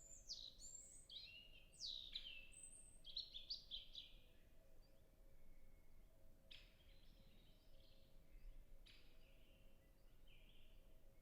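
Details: European robin singing at a distance in a natural reserve in early spring, temperate climate, captured with a Zoom F6 and Sennheiser MKH 8040; a run of high, varied, tinkling phrases at first, then sparse isolated notes and a faint steady hum.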